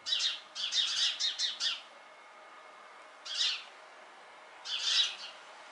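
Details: Eurasian sparrowhawk, which killed a dove on a balcony and was feeding on it on the ground in shrubbery, gives harsh, high, rasping chatters: a quick run of about eight notes, then two single bursts a second or so apart. The background is quiet.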